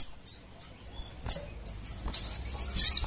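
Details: Crimson sunbird in a lure and training recording: a few short, very high chip notes spaced about a third of a second apart, then a brief squeaky twitter.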